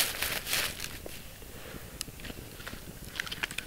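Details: Crackling and crunching of dry leaves and twigs, like footsteps or handling brush outdoors, with no animal voice heard.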